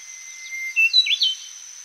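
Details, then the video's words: Golden whistler (Pachycephala pectoralis graeffii), close-up song: a quick burst of bright, high whistled notes, rising and falling, with other birds and a steady high cicada drone in the background. "Golden Whistler / P.P.Graeffii CU Song. Other Birds And Cicadas In Background."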